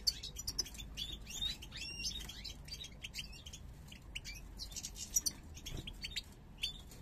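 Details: Two parva goldfinches from 2022 entering breeding condition, both stretching snake-like heads. Busy, overlapping high chirps and twitters come in irregular clusters over a low background hum.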